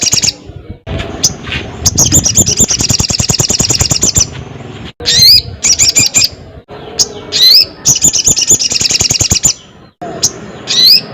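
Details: Crested jay calling a rival: loud, harsh rattles of rapid clicking notes in bursts of one to two seconds, cut off abruptly and separated by short gaps, several bursts ending in a quick rising whistled note.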